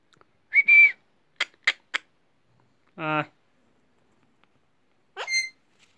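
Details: Pet Alexandrine parakeet, a talking parrot said to be saying good night, indoors: a drawn-out level whistle, a few sharp clicks, a low buzzy harmonic croak, then a short bright squawk, with brief human speech nearby.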